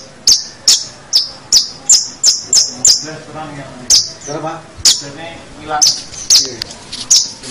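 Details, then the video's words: Long-tailed shrike song from a master recording made for teaching other songbirds: sharp, high ticking notes repeated roughly twice a second, broken midway by a lower, nasal, voice-like chattering phrase before the clicks resume. "Masteran Suara Pentet Cendet"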